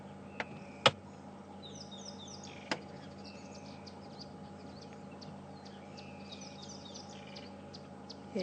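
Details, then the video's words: Rattling Cisticola calling during a morning safari drive at Djuma Game Reserve, 5 February 2015; faint, quick, high chirps and short notes repeated through the clip over a steady low hum, with a few sharp knocks. "There you go, you can hear the rattling cisticola really well now."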